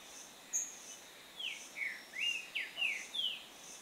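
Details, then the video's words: Green-winged saltator (Saltator similis) singing a run of about six rich, slurred whistled notes, each rising and falling, delivered briskly at roughly three per second after one thin high note, over a quiet background. "Trinca Ferro (Saltator similis)"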